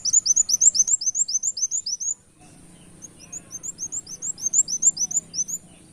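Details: Canary-imitating song of a brown-throated sunbird, played to lure birds: rapid, sharp rising chirps, then a brief pause near two seconds before a softer run of similar notes resumes.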